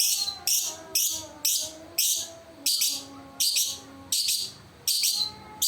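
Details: Lovebird giving repeated harsh, buzzy high-pitched bursts roughly every half second, each a short noisy chatter, with faint tonal whistles and background hum between bursts.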